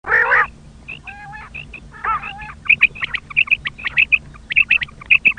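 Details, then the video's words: Common quail recording made for hunters: after an opening burst of harsh, grating calls, short high pulses arrive in quick clusters of two or three, repeated about twice a second, with a low steady hum beneath. "common quail sound"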